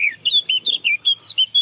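Eurasian Blackcap singing a quick run of clear, fluty, warbled notes, eight or nine in under two seconds, sliding up and down in pitch.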